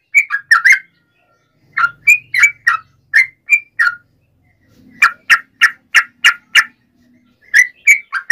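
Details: Yellow-vented bulbul in combative nggaruda ropel song to provoke other bulbuls: groups of liquid, bubbling whistled notes with pauses between phrases. A steady run of six evenly spaced notes falls in the middle.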